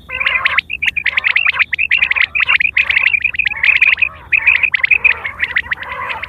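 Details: Quail giving its common call for hunting and pairing, recorded September 2023; fast runs of sharp, bright chirps in dense bursts, broken by brief pauses, with a harsher lower layer under the high notes.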